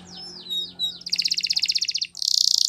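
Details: Canary training song: a few slurred whistled sweeps, then a rapid buzzy trill and a dense rattling roll, with a faint low hum underneath.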